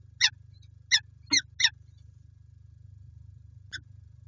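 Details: Harsh, rasping calls of peregrine falcons at PGE Lublin, Poland, recorded 5 April 2020: four quick scratchy notes in the first two seconds, then a pause and one more, with a constant low hum beneath.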